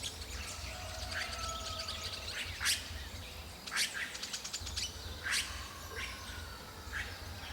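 Red-rumped cacique giving sharp, broadband chack notes and bursts of clicky rattles about every one to three seconds, over a steady low background hum.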